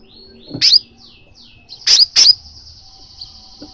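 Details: Calling crimson sunbird, meant to stir a caged sunbird into song: soft falling whistles, a sharp high chip, then two quick chips followed by a sustained thin high whistle.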